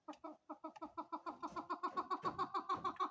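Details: Female chukar partridge: rhythmic clucking notes that speed up and grow louder, becoming a fast, even series of chuck sounds.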